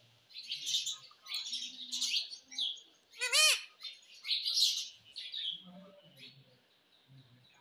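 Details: Pet rose-ringed parakeet being trained to talk gives scattered high chirps and chatter, with one loud harsh squawk in the middle; faint low sounds of a room behind.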